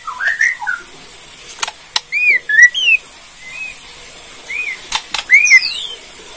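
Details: White-rumped shama of Bornean type, a cage bird whose song is meant to stir rival shamas into answering: sparse clear upslurred and downslurred whistles spaced by pauses, with a few sharp clicks and constant hiss.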